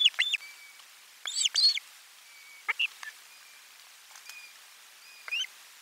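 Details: Osprey nest, 12 July 2022, at a lunchtime fish drop: irregular whistled chirps in small groups, one louder double burst early on, interspersed with thin drawn-out tones and quieter single notes.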